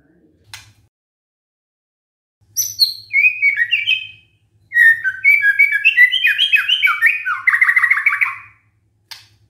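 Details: White-rumped shama song used as a lure to make other shamas answer: after a short tick, bursts of rich whistled phrases, slurred and warbling, then a fast run of rapidly repeated descending notes, with a faint low rattle beneath.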